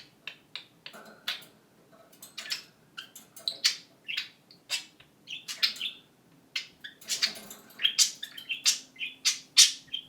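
A budgerigar gives a fast run of dry clicks and scratchy chirps, several a second, mimicking a camera shutter amid its chatter.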